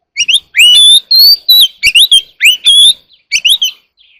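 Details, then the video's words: Early-morning song of an Oriental magpie-robin, loud and clear, made of varied rising and sliding whistled phrases with short gaps between them. "Chòe than hót đấu chim rừng quá sung"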